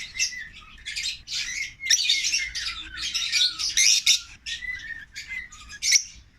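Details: Pet African lovebird siblings in a cage keep up a lively stream of piercing squawks and chirps, loud bursts alternating with quieter whistled upslurs, steady and overlapping.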